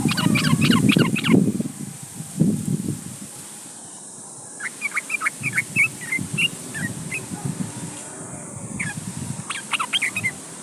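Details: Yellow-vented bulbul calling a rival; a loud low rumbling start, then a string of short, sharp bubbly whistled notes in quick succession against constant hiss and background noise.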